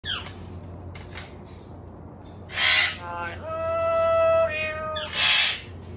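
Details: Rescued parrot at a sanctuary singing: a long held whistled tone with rich harmonics, sliding slightly, framed by harsh broadband squawks before and after, with faint clicks early on.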